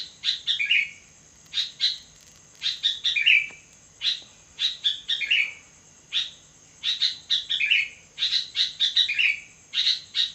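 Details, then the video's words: Sooty-headed bulbul singing at midnight, with repeated chirped phrases that often end in a bubbly falling whistle, coming in a steady rhythm with brief gaps, and a faint steady high-pitched tone underneath. "burung kutilang gacor di tengah malam"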